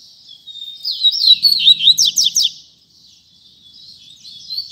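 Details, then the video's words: Caged double-collared seedeater singing in the Tui Tui Zel Zel song style: high, thin whistled notes slurring up and down, then a fast run of sharp descending chirps, and a softer warbled phrase at the end. "Coleiro Tui Tui Zel Zel"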